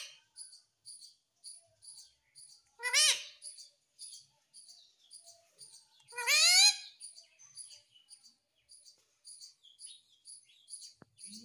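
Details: Captive Indian rose-ringed parakeet kept as a pet, giving two loud harsh rasping screeches about three and a half seconds apart, over a steady run of faint high ticking clicks.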